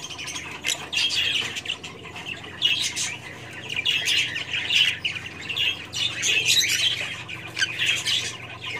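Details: Kingfisher giving harsh, high squawking calls in clusters spaced about a second apart, each burst rough and noisy, against steady faint background hiss.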